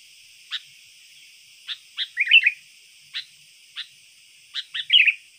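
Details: Sooty-headed bulbul, a trained, persistently singing bird whose song is used to lure wild bulbuls and as a tutor for contest birds: short sharp chirps spaced about a second apart, then two bubbly warbled phrases, over a steady high hiss.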